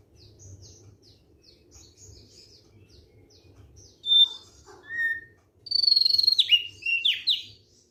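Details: Thick-billed white-eye in relaxed song: faint high ticking notes at first, then loud sharp whistles and a burst of bright, fast slurred notes near the end, with low background hum.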